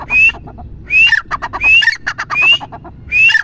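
A grey francolin calls loudly: a shrill rising whistle followed by harsh clipped notes, with the phrase repeated about every three-quarters of a second.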